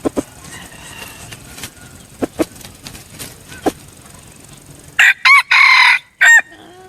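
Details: Scattered low clucks and clicks at first, then a Red junglefowl decoy bird crows loudly: two short opening notes, a drawn-out harsh middle note, and a separate sharp falling ending.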